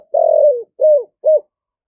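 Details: Spotted dove, giọng thổ voice, cooing to stir decoy birds and draw in wild doves, 2023: one long mellow coo falling at the end, followed by two shorter rounded coos.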